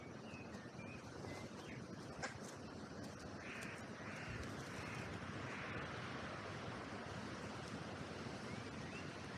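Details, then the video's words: Cemetery crows around an oak tree giving a short run of rough caws midway, with thin whistled notes from other birds before and after, all under steady wind noise. "Crows, Bird song and Wind in the Oak Tree"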